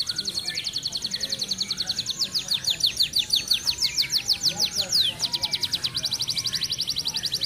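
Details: A near-moulting F1 canary with regional contest wins sings fast and tight: a long unbroken high trill of rapid pulses, slowing briefly into sweeping notes before speeding up again.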